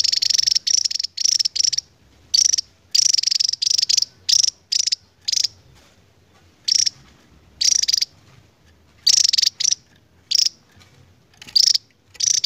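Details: Song of the endemic Javan tesia in a long ngebren delivery: repeated clusters of shrill, very high, rapid-fire notes, some bursts running together, others spaced by pauses of about a second. Quiet background.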